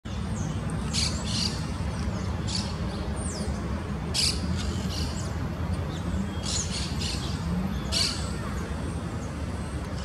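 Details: Red-crested cardinal foraging in Buenos Aires city on 20 May 2023, giving short, sharp, high chips in small clusters every second or two over a steady low rumble of traffic.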